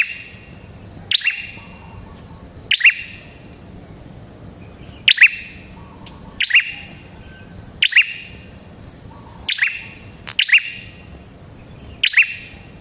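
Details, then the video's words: Prinia described as red-headed, played to lure other prinias: bright, piercing double chirps repeated about nine times at uneven gaps of one to two seconds, each a sharp high note then a lower ringing one, with faint hiss between. "Suara Burung Prenjak Kepala Merah Gacor Ampuh untuk Pikat Prenjak & Pancingan Prenjak"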